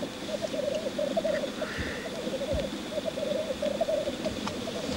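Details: Bubbling rookoo of lekking black grouse: rolling gurgled phrases repeat in waves, with a short higher warble in the background.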